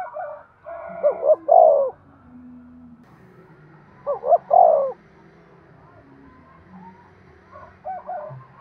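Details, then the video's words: Spotted dove giving urging coos meant to stimulate a male: two clear three-part phrases, two short rising notes then a longer wavering coo, repeated about three seconds apart, with a fainter third phrase near the end. "Tiếng chim cu gáy thúc gù cực đỉnh/ chim cu gay kich boi hieu qua"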